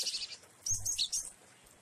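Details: Glatik wingko Java sparrow singing in the rain: a brief run of high, thin chirps and short whistled notes after a quiet gap, over steady hiss of falling rain.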